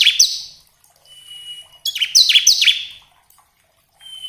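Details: Bar-winged prinia song used to spur caged birds to sing: a few high, downslurred chirps in two short groups, separated by a thin, steady whistle.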